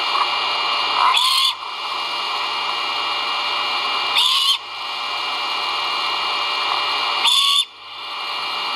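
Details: Great horned owl chicks at their nest while being fed, recorded on a live nest camera, 1.04.2022. Three short, harsh hissing screams are spaced about three seconds apart against a continuous noisy hiss.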